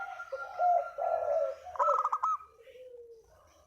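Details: Spotted dove calling as a trapping lure: drawn-out hoarse coos followed by a rapid rolling burble, then a softer, lower trailing coo.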